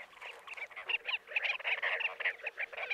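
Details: Chestnut-bellied sandgrouse recorded at Jeddah in Saudi Arabia's Makkah Region, giving dense gurgling chatter, about two clipped nasal notes each second in an uneven stream, over a low background hiss.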